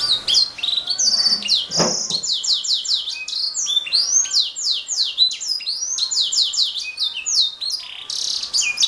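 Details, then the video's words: Atlantic canary in continuous song: rapid rolling trills of high whistled notes, many quick descending sweeps repeated in fast series, with one short knock-like sound near the start. "Kicau Burung Kenari"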